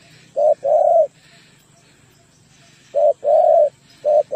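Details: Tekukur, the spotted dove, used as a lure bird: deep mellow coos, a brief note then a drawn-out purring coo, pairs repeated after a long pause, with faint low hum in the background.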